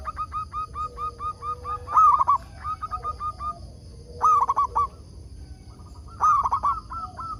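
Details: Local zebra dove singing loudly, kept as a lure bird to draw wild zebra doves into answering. A run of short, even tonal coos leads into rolling, stuttering phrases, repeated about every two seconds over steady high-pitched background tones.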